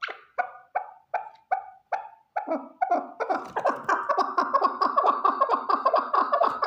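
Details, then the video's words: Sharp, evenly spaced clucks from a single male chukar partridge run into a fast, continuous, overlapping chatter of harsh notes that grows dense and loud. "Овози кабки нар Голос Куропатка صوت الحجل Partridge's voice صدای کبک"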